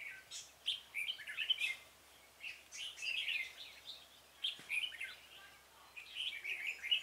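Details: On 26 February 2018 a red-whiskered bulbul serves as a decoy to draw wild birds to a trap; near-continuous bubbly, whistled warbling phrases repeated with barely a pause.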